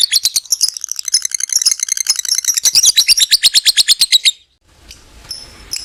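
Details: Caged lovebird giving a long ngekek trill, used to stimulate other lovebirds: a rapid, high, buzzy series of chattering notes lasting about four seconds, speeding and tightening toward the end, then near silence with faint high ticks.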